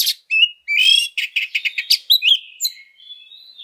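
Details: Oriental magpie-robin fighting song used as a lure: a loud raspy buzz, a chain of quick scratchy notes, a rising whistle, then a faint drawn-out thin whistle trailing off.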